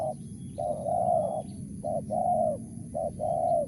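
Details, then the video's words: Spotted dove in Mersik, Tukang Keliling style, giving three quick couplets of a brief coo followed by a longer, fuller drawn-out coo, with faint low background hum. "BL suara Mersik//Tukang Keliling"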